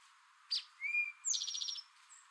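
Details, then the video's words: One crisp "drink your tea" song from a male Eastern towhee: a sharp opening note, a long clear whistle, then a fast, even trill of pulsed notes. A faint, high bird note follows near the end. "Eastern towhee singing"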